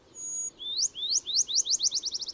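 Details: Black-chinned Sparrow, California dialect, one of its two-song repertoire usually sung back to back: a thin, high steady whistle, then sweet rising slurred notes that speed up into a rapid bouncing trill, with no other sounds.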